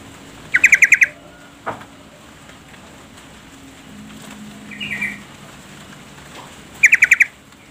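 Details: Female yellow-vented bulbul calling the male to prompt his song: two brisk bursts of about six sharp, bright notes each, six seconds apart, with a faint softer call between and light background hiss.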